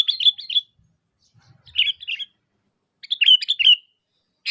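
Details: Sooty-headed bulbul calling to lure other bulbuls into answering: bright chirpy phrases of two or three notes, repeated in bursts with short gaps, a clean recording with no other sounds.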